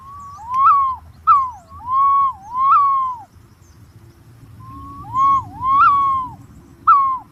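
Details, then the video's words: Green pigeon calling in curved, dipping whistles that rise, fall and rise again in short looping phrases, with a pause midway, over a low steady hum. "suab nquab ntsuab quaj zoo tiếng cu xanh keu"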